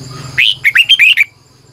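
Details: Red-whiskered bulbul singing in the morning, a decoy bird with a long, twisting 'double voice' style: one loud burst of six quick, warbled, whistled notes rising and falling, following a faint low hum.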